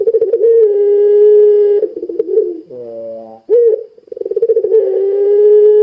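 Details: Energetic puter pelung Barbary dove, its call used to make other doves start calling. Rolling, throbbing coos stretch into long, steady tones, interrupted midway by a lower, nasal note before the drawn-out coo resumes.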